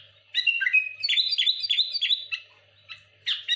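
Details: Sooty-headed bulbul pressing rivals with a quick run of bright, chirpy and slightly buzzy notes, a short pause, then another sharp burst.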